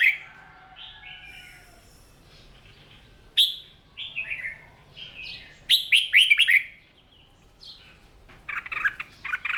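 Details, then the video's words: Morning voice practice of a captive red-whiskered bulbul in Vietnam; varied slurred whistled phrases, a loud run of rapid swooping notes near the middle, ending in harsher rasping chatter. "Tiếng Chim Chào Mào Hót , Kích Chim yếu lửa ra giọng , luyện giọng chào mào mỗi sáng"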